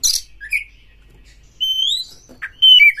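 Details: Oriental magpie-robin (kacer), likely caged, singing in an agitated, fighting mood as if seeking a rival: a harsh burst, a short buzzy note, then a long clear whistle that rises, and a bright falling whistled phrase at the end.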